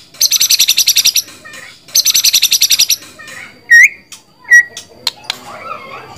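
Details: White-rumped shama giving two long buzzy trills of about a dozen rapid pulses each, followed by clear mid-pitched whistled notes, one rising into a loop, and soft scattered chips.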